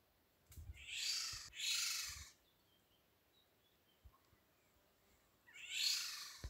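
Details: Eurasian golden oriole parents in a garden in Hungary, protecting fledglings that have just left the nest, giving harsh, raspy, cat-like screeches, two in quick succession and a third after a pause, with faint soft background notes.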